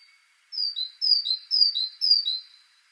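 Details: Four ringing two-note phrases from a Great tit (Parus major), a high whistle dropping to a lower one, evenly spaced about half a second apart.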